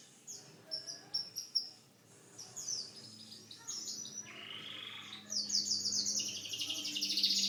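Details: Canary song starting with spaced sharp chips, then flowing into a buzzy roll and a loud, very high rapid trill that runs to the end.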